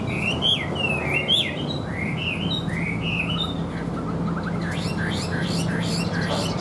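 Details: Chinese hwamei in a cage, a good even-voiced singer: a string of rolling, slurred whistles in quick repeated phrases, fading into softer high twitters over a low hum.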